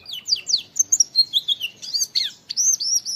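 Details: Oriental white-eye "wit wit" training recording: a busy run of thin, high, slurred whistles and sharp chips, some falling and some rising, delivered without pause for three seconds.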